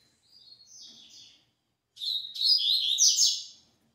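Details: Double-collared seedeater singing its "tui tui" song type: a thin high wavering note, a short silence, then a louder, scratchy, twittering high-pitched phrase lasting nearly two seconds, with a quiet background.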